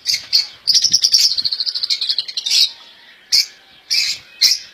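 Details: Royal goldfinch, a caged European goldfinch praised for its clean song: a quick rolling twitter run lasting about two seconds, followed by three isolated sharp chirps at regular intervals.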